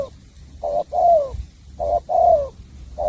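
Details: Spotted dove, Cà Mau, Vietnam, bầu bạch đề song: regular paired coos, a short note answered by a drawn-out descending coo, repeated steadily with faint low background rumble.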